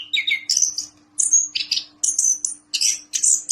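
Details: Orange-headed thrush, a vocal singer, delivering quick descending whistled notes followed by high clear whistles and scratchy bursts in short phrases with brief gaps.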